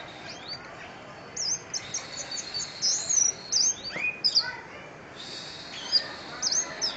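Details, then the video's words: Orange-headed thrush singing a lively, varied song of high, sharp whistled phrases and quick trills. The phrases come in bursts separated by short pauses, with faint background hiss. "Kicauan Anis Merah"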